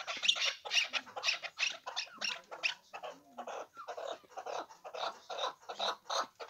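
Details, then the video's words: Hybrid chukar partridge producing a long run of rough, scratchy chattering notes, fast and irregular, rising and falling in loudness over several seconds. "Кабки Гибрид"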